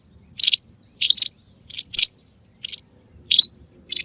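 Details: White wagtail lure calls for hunting: a quick, irregular run of short, high, chirping notes, some paired, roughly eight in four seconds, clear against near silence.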